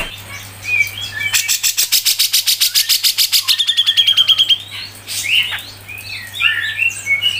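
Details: Grey-cheeked bulbul (cucak jenggot) in a tutor recording for training songbirds, full 'mbeset ngepik rapet' style: scattered whistled notes, then a long rapid train of harsh broadband pulses, about three per second, with a high trilled whistle, then varied chirps.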